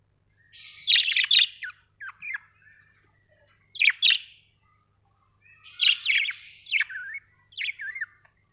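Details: Budgies kept as pets give bursts of high, scratchy chirps and twittering notes in three clusters over about eight seconds, with short gaps between them and a faint low hum in the background.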